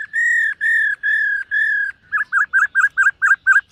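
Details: Silver-eared laughingthrush singing and dancing in morning voice-training song: four long, level, clear whistles with rich overtones, then a quick run of about eight short, bouncing whistled notes.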